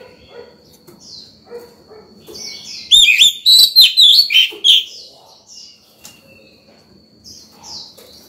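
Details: Morning song of a fired-up white-rumped shama, sung to call other birds and teach young ones: soft scattered notes, then one loud burst of bright slurred whistles and chattering trills, steady thin high tone behind.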